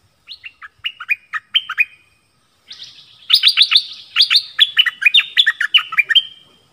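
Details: Decoy Dok Taeng bird calling for a mate in a forest, recorded 13 January 2021; rapid strings of clear, falling chirped notes, a softer series followed by a louder, denser run lasting several seconds.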